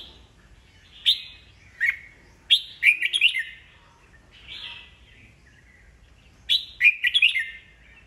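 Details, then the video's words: Old wild-caught red-whiskered bulbul singing to draw rival birds into singing contests; sharp single notes lead into quick warbled phrases, repeated twice with a slurred whistle between. "Chào mào già rừng bọng cực hay, siêu kích bổi, bổi nghe là hót đấu"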